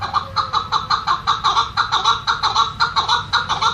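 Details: Quebec bird, said to live in Iran and Pakistan, kept indoors and delivering rhythmic chattering phrases: rough, cackling notes repeated steadily about twice per second without pause in a small room.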